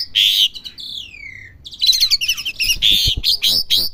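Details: Young Asian pied starling learning to sing: a loud squeaky note, a clear whistle sliding downward, then a jumble of rapid chirps, rattles and squeaky whistles.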